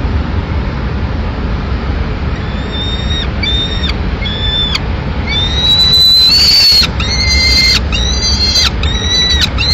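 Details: Peregrine falcon nest, Madrid, 24 May 2016, mother delivering a pigeon to the chick. Short, thin wailing calls repeat rapidly, growing louder and rougher midway with a burst of harsh noise, all over a constant deep traffic drone.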